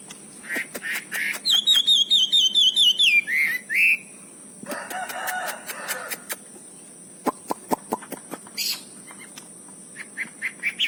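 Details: Wambi bird song from Cililin: a fast run of high, sharp whistled notes repeated rapidly, then lower slurred phrases, followed by scattered clicks and rattling sounds with brief chirps near the end.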